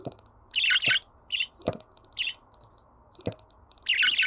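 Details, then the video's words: Pet budgerigar sounds used to get budgies singing: bursts of dense, buzzy warbling chatter and shorter chirps, with scattered ticks and several sharp clicks. "Muhabbet Kuşu Sesi"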